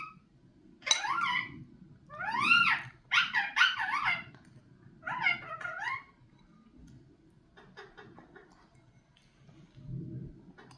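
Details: Speech-like phrases from a talking Indian ringneck parakeet: four separate bursts of arched, sharply rising and falling whistly syllables, followed by faint clicks and low indoor rumble.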